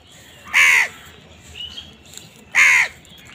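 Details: Crows squabbling for food give two loud, rasping caws about two seconds apart, each harsh and slightly falling at the end, with a faint thin whistle between them in an otherwise quiet outdoor setting.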